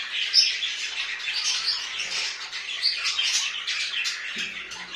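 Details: Pet budgerigars give a steady stream of high, buzzy warbling with one sharp squeak near the start. Soft low sounds enter toward the end.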